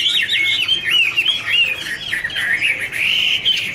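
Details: Chinese hwamei singing a duet while dancing; rolling whistled phrases repeat and bend up and down, ending in a longer, steady, wavering whistle.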